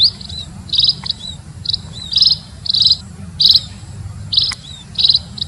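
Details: Munia giving spaced buzzy high chirps and thin slurred notes over a steady low rumbling background noise.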